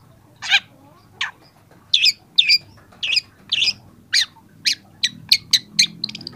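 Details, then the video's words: Young long-tailed shrike recorded as a training recording. Its song comes in irregular, spaced bursts of harsh, squawky notes, some buzzy and some sharp, with short silent gaps between them. "masteran cendet muda"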